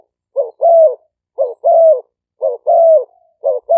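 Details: Spotted doves, caged decoy birds of Malay and 'phad phone' strains, recorded live in Roi Et, Thailand, on a smartphone as lure calls. Low hollow coos in short-then-long pairs, repeated about once a second, four times, clean background.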